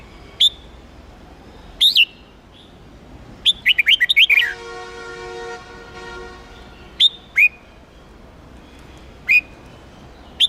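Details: Red-whiskered bulbul, Hue type, singing for song-contest training meant to stir up wild-caught birds: scattered sharp whistled notes and one quick run of chirps, with a long steady tonal hum sounding midway.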